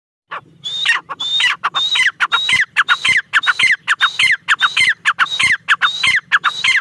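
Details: Female black francolin calling: harsh, grating multi-note phrases, each opening with a level high whistle-like note followed by sharply descending scratchy notes, repeated roughly every 0.6 seconds with a faint low hum underneath.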